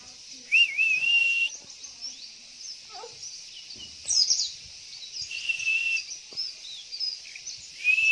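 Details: White-eye lure sound, used to prompt caged males to answer and sing. Steady high wavering whistles recur several times over a dense hiss of thin, high chattering and twittering notes. Faint low clicks sit underneath.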